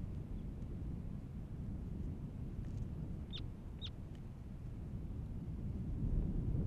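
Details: Semipalmated Plover on the Katmai coast, Katmai National Park, Alaska, in June 2017, gives two quick, rising whistled notes about half a second apart, over a steady roar of wind or surf.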